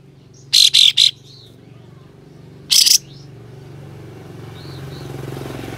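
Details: White-shouldered triller with fanned tail uttering rough, spicy besetan phrases to goad rival trillers: a rapid triple rasping burst, then a single grating shot two seconds later, with background hiss swelling toward the end.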